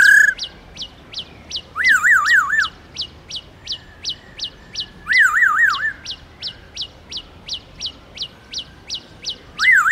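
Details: Black-throated laughingthrush in forest-voice song, used to encourage captive birds to sing: steady quick high ticking notes run throughout, broken three times by loud wavering trilled whistles that rise and fall rapidly.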